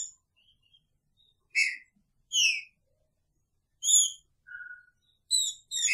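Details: Caged Green-winged Saltator, its female in the same cage, delivering picharro song: full whistled notes roughly every second, some falling in pitch, with one lower flat whistle and faint soft chips.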